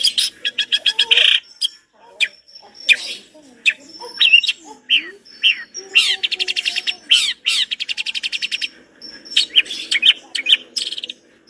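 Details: Long-tailed shrike pouring out a rich song of imitated material, mixing buzzy rattles, rapid trilled series, high thin whistles and scratchy squeaks in constantly changing phrases.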